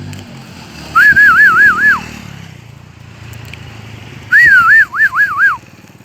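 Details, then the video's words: Two bright warbling phrases from a crested bird in a H'Mong highland village, each a chain of rapid whistled up-down waves lasting about a second, separated by a pause with low rumbling hum. "The Crested Bird Sings Beautifully"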